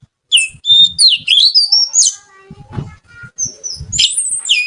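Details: Kacer, or oriental magpie-robin, singing in a lively, melodious way: rich, high warbled phrases with gliding whistles, interrupted by a patch of softer lower chirps and faint thumping background noise.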